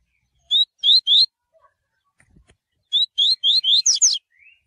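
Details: Double-collared Seedeater (Coleiro) singing tui tui, used for training: three rising whistles, a pause, then a longer run of about six notes that ends in sharper, higher slurred notes and a faint trailing note.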